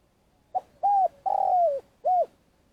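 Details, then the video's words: Decoy spotted dove from Vietnam, used to lure wild doves into traps, in long calling: four mellow coos, a brief soft note, a steady one, an extended falling croo and a closing coo, clean and without other sounds. "Cu gáy mồi cây - gáy gọi dài"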